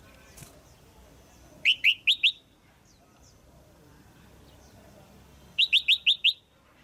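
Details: Female red-whiskered bulbul calling to stimulate a male or to pair up: two bursts of four to five loud, sharp chirps in quick succession, about four seconds apart, over quiet background.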